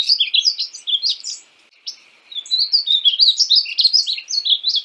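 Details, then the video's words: {'text': 'Singing painted bunting (Passerina ciris): continuous high, lively warbling with a short break in the middle, notes tumbling quickly up and down in a bright jumble.'} "Conheça o belo canto do pássaro estamenha pintada (Passerina ciris)"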